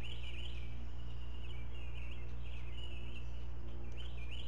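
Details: Great Blue Heron nestlings, four together at a Chesapeake nest camera on 16 May 2017, begging at breakfast while a parent regurgitates fish; continuous rising-and-falling whining squeals, nearly unbroken, over a low steady hum.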